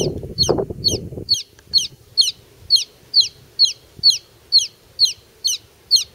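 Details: Baby chick on grass peeping steadily: sharp, high falling peeps repeated about twice a second, after a brief burst of lower rustling at the start.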